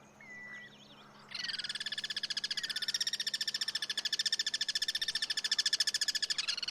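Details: Free-living Guira cuckoo in natural surroundings, part of cross-singing: a short wavering whistle, then a sustained harsh rattle of fast regular pulses lasting over five seconds, and a steady low hum behind it.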